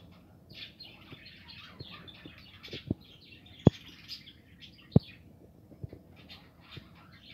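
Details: Budgerigars nesting in a home aviary, 2020, giving continuous soft warbling chatter with overlapping chirps, several birds calling at once, with sharp knocks and clicks from the cage.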